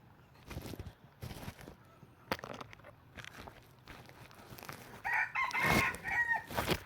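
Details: Decoy red junglefowl crowing for trapping. A loud, ragged, broken-up crow comes near the end, after several bursts of rustling and handling noise.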